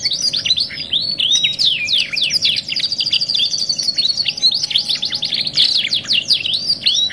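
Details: Canary song from a '2 in 1' masteran training recording for caged canaries: a dense, continuous high warble of rapid descending sweeps, buzzy trills and brief sustained whistles, with a faint steady low hum beneath.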